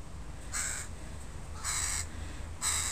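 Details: In a park, a crow of a family with youngsters calls three harsh caws spaced roughly a second apart, each short and grating, against quiet background hum.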